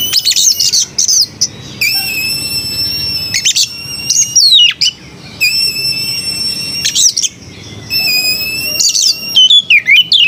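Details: Oriental magpie-robin singing melodiously: long steady high whistles with harmonic overtones, broken by scratchy chattering bursts and quick rising-falling slurs, in phrases about every two to three seconds.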